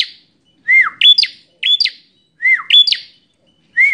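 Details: Bar-winged prinia, described as an aggressive fighting bird, delivers loud harsh phrases: a dipping slurred note followed by sharp rising chirps, repeated three times in four seconds against a silent background.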